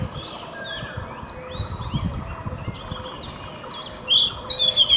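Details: Magpie-robin in the morning, its song faint and distant at first with soft scattered whistles, then a loud, clear burst of sweet rising and falling whistled notes near the end over low background rumble.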